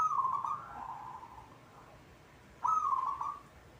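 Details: Zebra dove of local stock in full song. Two rolling, purring coo phrases, each a quick low trill lasting under a second, separated by about two seconds of quiet.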